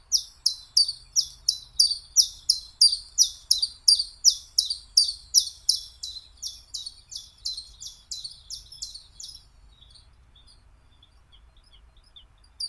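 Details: Common chiffchaff (Phylloscopus collybita) delivering a long, fast string of about twenty-five sharp, high chirps with alternating pitch, gradually fading before stopping abruptly, followed by near silence.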